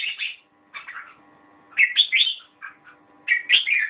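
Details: Red-whiskered bulbul (merbah jambul) singing: three short bursts of bubbly, liquid warbled phrases, each a quick run of rising and falling whistled notes, separated by brief pauses, over a faint steady low hum.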